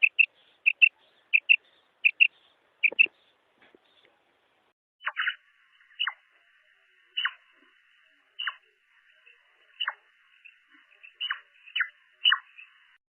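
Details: Female common quail recorded in the wild, a call used to attract males: quick high paired clicks in rapid twos, then sharp, downward-sliding notes about every second and a half.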